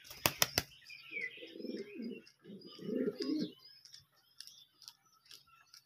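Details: Hand-tamed pouter, a fancy domestic pigeon breed, giving two low, rumbling coos of about a second each, after a few sharp clicks; faint high chirps of other small birds continue in the background.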